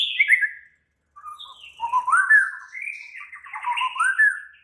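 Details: White-rumped shama singing actively and excitedly: mellow, fairly low slurred whistles in flowing phrases that rise and fall, with a short pause near the start.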